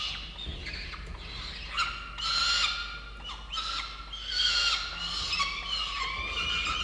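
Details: Peregrine falcon chicks, a pair at the nest, giving repeated hoarse, squealing cries, each a second or so long with buzzy overtones, coming in uneven waves roughly every two seconds over faint low rumble.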